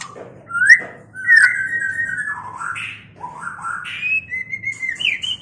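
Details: Mating song of a white-rumped shama, built of varied whistled phrases that rise, fall and slur between pitches, with loud rich notes early on and softer rising whistles towards the end.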